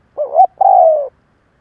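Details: Lure spotted dove cooing to provoke rivals: one phrase with two short rising notes, a brief pause, then a long, gently descending coo.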